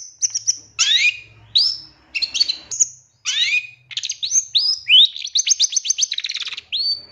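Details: Long-tailed shrike master song for training captive birds: a varied string of clear high whistles, downward slurs and a fast run of rising piping notes, ending on a sustained whistle.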